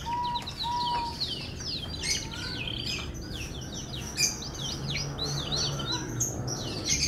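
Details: Canary labelled F1 singing a long, fast stream of buzzy trills and sweeping chirps, many notes sliding downward, with two short steady whistles at the start; a low constant hum runs beneath.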